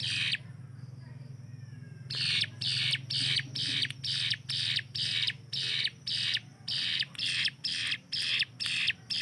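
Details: Hill prinia (ciblek gunung) used as a master bird to train songbirds' speed, delivering loud rapid-fire notes like an assault rifle: a long run of evenly repeated harsh high bursts about twice a second, with low hum beneath.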